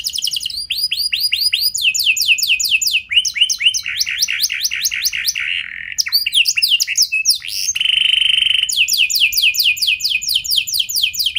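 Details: Canary singing a fancy, long-shooting lure song meant to set other canaries singing: a varied chain of quick rising whistled trills changing pace and pitch, with a short buzzy note and a brief gap midway.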